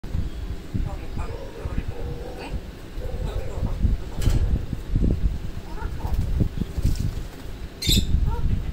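African grey parrot imitating human speech in low, word-like phrases, with a sharp high squeak near the end over a steady background hum.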